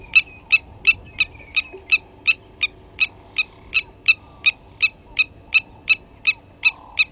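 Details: Blacksmith lapwing on a live waterhole camera at Djuma Game Reserve, South Africa, 29 August 2020 morning, as an adult killed a nest chick: unbroken run of bright metallic clinks, nearly three a second, with faint background noise.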